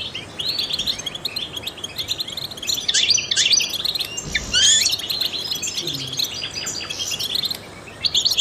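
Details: Continuous twittering song of a trained goldfinch used to prompt other songbirds, high chattering chirps building into a louder burst of sweeping notes midway, with a faint low thump.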